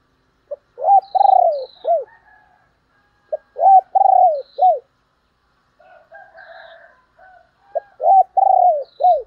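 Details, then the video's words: Spotted dove calling as a decoy to attract other doves: loud low three- to four-note coo phrases, the middle note drawn out and falling, given three times, with soft higher chirps and quieter distant coos between. "chim cu gáy kích bổi mới"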